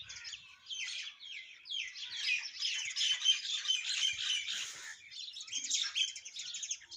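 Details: A myna singing in the morning chatters in a fast, varied stream of squeaky whistles, harsh buzzes and clicks, about four notes a second, with no other sounds behind it.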